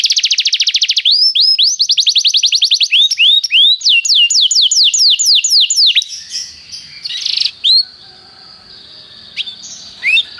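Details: Canary singing for song training: six seconds of rapid high trills and looping down-slurred notes, then sparse, scattered chirps and a faint background.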